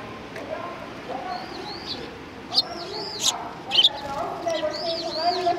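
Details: A flock of sparrows at a Tenmangu shrine in January 2019, welcoming visitors with repeated arched high chirps and a few sharp louder notes, while faint low voices murmur underneath.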